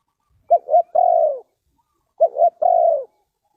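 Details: Spotted dove cooing in Ninh Thuận, Vietnam, used for lure trapping: two clean phrases, each a pair of quick coos followed by one long, steady, descending croo, with a pause of about a second between phrases.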